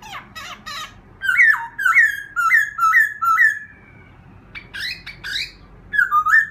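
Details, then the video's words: Laughingthrush singing to stir up a newly caught wild bird: a harsh rattle, then five clear whistled notes, each dropping then rising, repeated about every half second, followed by scratchy notes and a final whistle. "khướu kích bổi"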